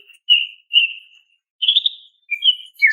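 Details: Female greater green leafbird calling a male, kept bird: several drawn-out, level whistled notes, the third slightly rising and wavering, followed by short clipped whistles.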